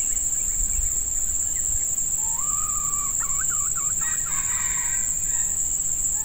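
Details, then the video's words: Red junglefowl recorded while a female decoy draws in wild males in hot breeding weather: a rising drawn-out note that breaks into quick wavering syllables, faintly heard against a constant shrill insect hum and light rustling. "Ayam Hutan Pikat Betina"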